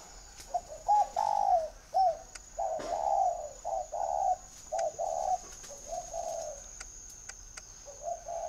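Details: Caged spotted dove at a bird keeper's garden in Ba Vì, Hanoi, northern Vietnam, giving a mellow, low cooing series: soft hollow coos in short groups with brief pauses, repeated through the recording, with faint clicks and a steady high hiss.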